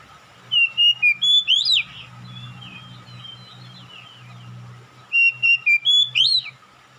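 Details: Oriental magpie-robin calling while another magpie-robin responds: the same phrase of five crisp whistles ending in an upward sweep is given twice, about five seconds apart. Softer chattering and a low engine rumble fill the gap between them.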